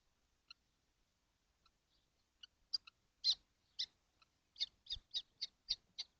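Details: Kestrels, all seven crowded in a nesting box during hot weather on 12 June 2025, give high, harsh, shrill calls. Sparse faint notes at first, then a quickening series of loud screechy notes roughly every half second.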